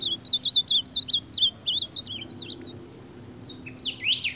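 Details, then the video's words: Ultramarine grosbeak fighting its reflection in a mirror gives a rapid string of wavy, looping whistles, about two per second, then a pause and a sharp rising scratchy note at the end. "Reina mora peleando con el espejo"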